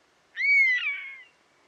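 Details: Wild buzzard giving its plaintive cry, a sharp-onset whistle that lifts and then droops gradually, turning rasping toward the end, roughly one second in all. Light background hiss.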